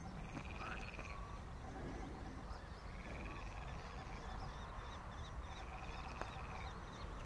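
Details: Common kestrel nestlings during feeding: three long, arched, whining calls spaced roughly two to three seconds apart, with a constant low hum underneath.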